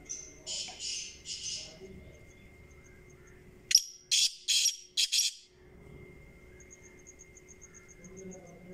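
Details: Kala teetar, the black francolin, gives a harsh rasping call: a sharp opening note, then four loud, broad, scratchy bursts in quick rhythm, with softer similar notes and faint ticking before and after.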